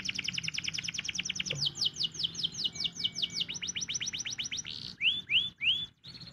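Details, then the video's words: Canary song in the morning, played to get other canaries singing: steady rapid trills that shift in pitch, then three separated rising whistled slides and a short closing trill. "PANCINGAN KENARI PAGI HARI"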